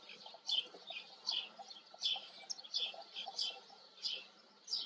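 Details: Short high chirps from a white wagtail, repeated roughly every half to one second, each note bright and slightly slurred, with a soft steady hum beneath.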